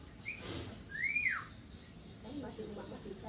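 A Javan myna gives a brief thin note, then one clear whistle that rises and falls; faint voices and a steady background hiss behind.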